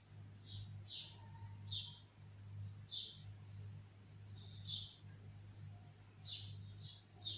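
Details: Bulbul producing sharp, downslurred high chirps at uneven intervals, some doubled, against a persistent low hum.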